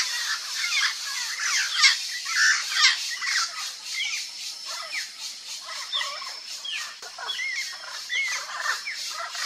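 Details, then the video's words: Turquoise-fronted parrots (Amazona aestiva, papagaio-verdadeiro) give a dense chatter of harsh, squawking notes and short rising whistles, several birds calling over one another continuously. "PAPAGAIO VERDADEIRO canto (AMAZONA AESTIVA) TURQUOISE-FRONTED PARROT"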